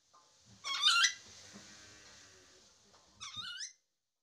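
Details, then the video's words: Chattering lory in a tutor recording meant to teach lories to talk quickly: two loud, harmonic squawks, the first rising then wavering near one second, the second shorter and rising at the end, with quiet room hiss between. "MASTERAN NURI DORA agar cepat bicara cewek dan kaka"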